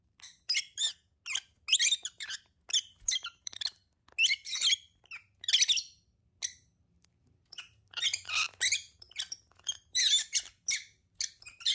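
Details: Pair of lovebirds chattering steadily: rapid, shrill, scratchy chirps and squeaks in quick irregular bursts, nearly continuous, with a brief quieter lull midway before the sharp calling resumes.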